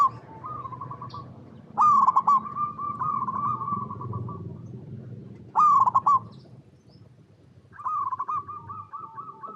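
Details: Local zebra dove, or perkutut, singing as a lure for other doves to answer: three loud, broken bubbling openings, each trailing into a long, level, mellow coo run, over a soft low background hum.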